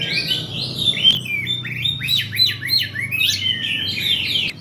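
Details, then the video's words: Oriental magpie-robin song played to attract other birds: fluent whistled phrases mixing sweeping slurs and fast repeated chip notes, delivered without pause, with a couple of sharp clicks and a steady low hum beneath. "Kacer nge-play untuk pancingan"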